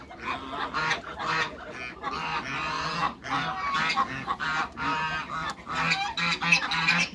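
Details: Cayuga × Mallard hybrid ducks on a farm calling in a noisy chorus of harsh, nasal quacks and honks, several birds overlapping in bursts with short pauses throughout.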